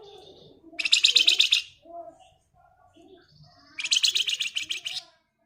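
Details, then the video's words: Flamboyan bird in full gacor ngebren song, giving two fast buzzy chattering bursts about three seconds apart. Each is a dense string of rapid high pulses, with a few soft lower chirps and murmurs between them. "Raja Ngebren Burung Flamboyan Gacor"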